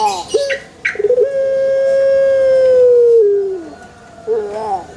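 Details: A young pelung rooster in a banana plantation gives one drawn-out crow lasting about two and a half seconds. It is even and sustained, then sags downward at the close, with a few short chirps from small birds before it.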